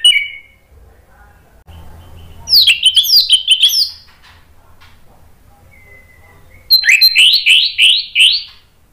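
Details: Two bursts of energetic orange-headed thrush song in the loud 'ngeplong' style, sung to provoke a reply. Each burst is quick, high, and made of looping whistled notes, with a soft lone whistle and low hum in the gap between them.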